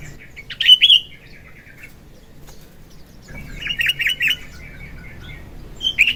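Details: Sooty-headed bulbul, kutilang, singing eagerly in the morning as a filler and lure song: a short, loud warbled phrase, a long pause, then a longer chattering run of chirps, followed by a final brief note.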